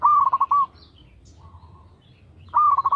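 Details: Perkutut, a local zebra dove, in lure song meant to trigger other birds: a quick burst of rolling staccato coos, a soft faint coo in the pause, then another bright rolling phrase starting.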